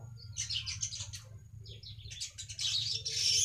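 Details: Lure recording of weaver song for catching wild weavers: rapid high sizzling chatters and squeaky notes run in two bursts and grow louder toward the end, with a constant low hum underneath.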